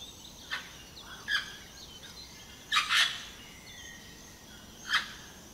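Vernal hanging parrot giving sharp, high squeaky notes, single or doubled, at irregular one- to two-second gaps over a faint steady hiss.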